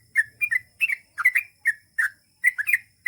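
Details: Lively gacor singing from a Sooty-headed bulbul, long ropel style: quick bubbly chirps and slurred whistles in tight clusters, over a faint low hum.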